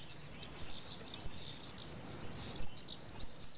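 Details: Common swifts at a nesting colony of about twenty pairs in the weepholes of a retaining wall in Nice, France, give shrill, high overlapping screams almost continuously in the evening around 21:00 as pairs return to roost.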